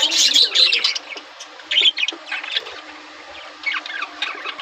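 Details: Budgerigars at the beginning of breeding season, while laying eggs, open with a loud burst of warbling chirps, then keep up softer scattered twittering and scratchy notes.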